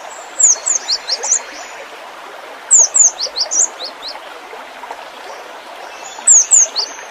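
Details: Cinereous tit, locally gelatik batu, delivers 'isian'-style song. Sharp, high falling whistles tumble into lower chips in phrases of about six notes, repeated three times, set against a dense noisy backdrop.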